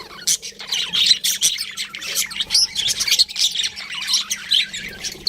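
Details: Budgies warbling and chirping in short bursts, bright twittering notes and fast squeaky chatter repeated every fraction of a second over a faint electrical hum.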